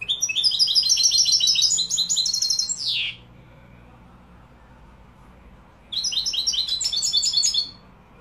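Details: Singing European goldfinch labelled Malaga, Morocco: a long run of rapid, chattering twitters ending in a downward slurred note, about three seconds of silence, then another fast twittering phrase.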